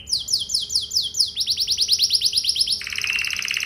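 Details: A canary delivers a lure song with fancy melodic turns to draw answers from other canaries: repeated sweeping notes, switching to a quicker rolling trill, then a dense rapid buzz.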